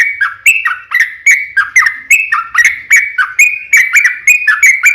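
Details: Lively 'ropel panjang' song of a Yellow-vented Bulbul (trucukan), used as a lure to prompt other birds to reply; crisp, liquid whistles follow one another quickly, alternating slightly higher and lower notes in a continuous bubbling stream.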